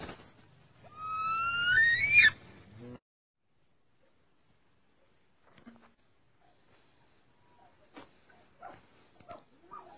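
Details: Captive snowcocks, trapped a month and a half ago and now starting to sing; one loud, rising whistled note with harmonics lasting about two seconds, followed by near silence with faint clicks and knocks.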